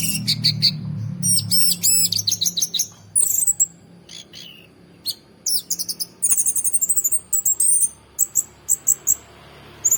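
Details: Orange-headed thrush giving a long, busy song of high, sharp chips and whistled, warbled phrases in quick succession, with a low hum at the start.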